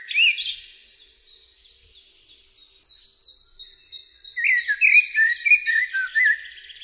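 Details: A Eurasian blackbird sings a brief fluted opening. A steady run of high, sibilant twitters follows, then the bird returns to louder, mellow warbling whistles near the end.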